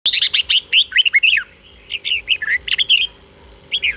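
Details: Red-whiskered bulbul song in the doubled style, played to young birds to copy. Quick, clear, whistled notes come in bursts: a busy opening run, a second phrase of rising and falling slurred notes, then a short final pair.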